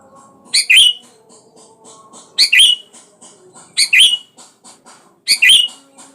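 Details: Sooty-headed bulbul calling to provoke a rival into singing; loud, bright chattering bursts of two to three notes, repeated about every one and a half seconds, with soft faint chirps between them.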